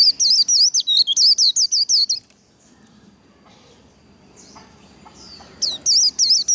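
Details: White-eye performing competition-style líu song meant to stimulate and train singing: a two-second burst of rapid, looping high whistles, a pause with a couple of soft single notes, then the quick series resumes.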